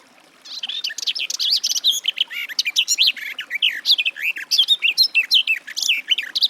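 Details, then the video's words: Sustained, hurried warbling from a Garden warbler (Sylvia borin), a dense stream of sweet chirps, trills and quick up-and-down notes with barely a break. "Warbler garden, birdsong"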